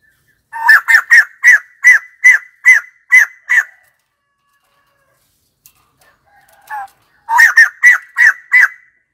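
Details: Series of about eight loud, evenly repeated harsh notes from white-crested laughingthrush, a short silence with a faint note, then another run of similar laughing calls.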